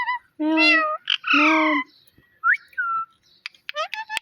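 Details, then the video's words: Talking pet parrot imitating a cat: two long, nasal, meow-like calls with rich harmonics, followed by short whistled slurs and quick clicks. "Cute Talking Parrot"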